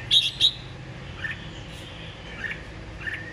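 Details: A caged Red-whiskered Bulbul, kept nearly a year: two loud, bright whistled notes in quick succession, then three softer, lower chirps spaced about a second apart over a faint low hum.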